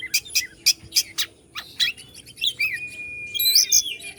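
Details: Oriental magpie-robin (kacer) from Bandung, Indonesia, singing to provoke other birds: a run of sharp, high chirps followed by whistled, rising and falling phrases, with one long steady whistle near the end.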